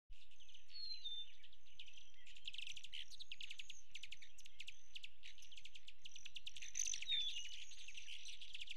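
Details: Male Broad-tailed hummingbird flying between ports of a West Texas feeder on 26 May 2017: its wingtips make a continuous high, metallic buzzing trill with pulsing bursts and a few thin, sliding chips, over a low steady hum.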